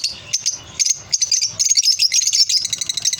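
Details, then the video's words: Lovebirds chattering in a cheerful mood: bursts of sharp, clicking, high-pitched chirps come in uneven clusters, some runs fast and buzzy, with short gaps between them. "Love birds sounds"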